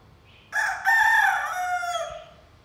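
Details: Young pet rooster giving its first crow: a hoarse, rough cock-a-doodle-doo lasting about one and a half seconds, starting abruptly, swelling louder midway, then trailing off in a strained, wavering tail against a quiet background.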